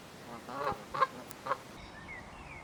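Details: Canada geese in a territorial dispute, giving three short nasal honks about half a second apart, followed by quiet thin whistles from another bird.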